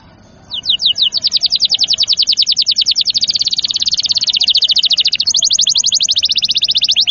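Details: Canary song used to stimulate young, stalled and lazy canaries to sing: a sustained, very rapid high trill lasting several seconds, briefly pausing and continuing.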